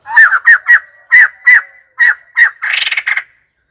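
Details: White-crested laughingthrush calling: a series of loud harsh squawking notes in pairs and singles, about eight in all, ending in a rapid rattling cackle.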